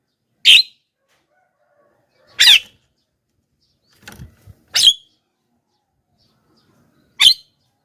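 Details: Javan myna squawks used to call wild mynas in: four harsh, noisy calls spread across about seven seconds, with a soft rustle between them.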